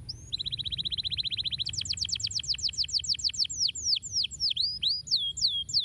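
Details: Canary singing to spur lazy canaries into song: a long, even, rapid roll of identical notes, followed by louder downslurred chips repeated quickly, ending in separate swooping whistles.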